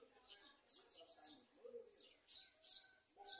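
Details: Olive-backed sunbird in a garden, bringing food to its young. Thin, high chirps and sharp tweets come in quick, uneven bursts, with faint low murmuring like distant voices underneath.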